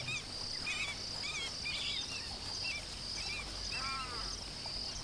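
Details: African skimmers defending newly hatched chicks from a monitor lizard give bursts of short, curved, nasal yapping calls from several birds, with a steady high-pitched insect-like hum throughout.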